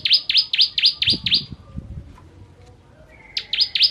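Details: Bar-winged prinia song for training songbirds: six quick, high, falling chips, a pause of nearly two seconds with faint low knocks, then three more chips in the same sharp 'tembakan' rhythm.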